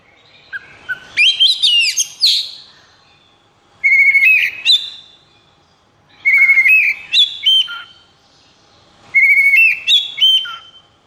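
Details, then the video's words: Oriental magpie-robin in 'konslet' condition, high breeding drive and emotion, repeating a loud, varied song phrase about every two and a half seconds; each phrase mixes a steady whistle, sharp chips and quick slurred notes. "KACER KONSLET!"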